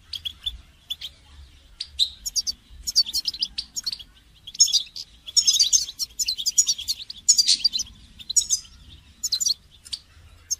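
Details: Lively goldfinch song intended for training birds: dense, rapid twittering and tinkling trills that build into loud continuous bursts, with a faint hum beneath.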